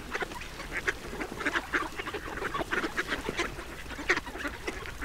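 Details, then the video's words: Duck being fed, giving separate short quacks and squeaks in irregular clusters, with clearer gaps between calls than in a steady chatter. "YEMLENEN ÖRDEK SESİ 1 - SOUNDS OF A DUCK FEEDING"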